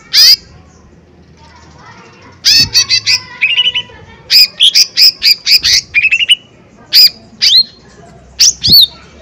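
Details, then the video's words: Lesser green leafbird singing loudly as a provoking lure: widely spaced bursts of sharp high chirps, short trills and downward-slurred whistles separated by quiet gaps. "Pancingan Cucak Ijo Mini Gacor Full POWER Tembakan keras Mancing Emosi"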